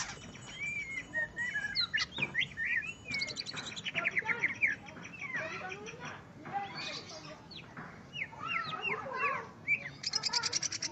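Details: Greater green leafbird singing while matched against a rival: a dense, varied stream of whistled slurs, chirps and quick warbled phrases with few pauses, ending in a rapid buzzy burst, over steady background noise.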